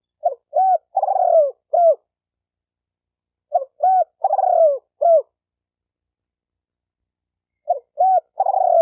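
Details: Spotted dove cooing, a calling style meant to stir up decoy birds, males and females: three phrases, each two short rising coos, then a long drawn-out falling coo and often a clipped final note, phrases about four seconds apart, in silence.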